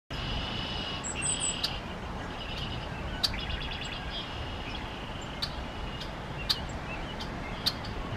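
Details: Golden-crowned kinglet sitting still and calling in Ontario in April: very high, thin, sharp call notes, scattered every second or so with a brief rapid stutter, over steady wind-like rushing background noise.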